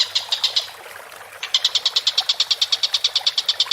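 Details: Collared kingfisher giving vigorous chattering calls for bird training: a few quick harsh notes, a brief pause, then a sustained rapid run of clipped, evenly spaced notes.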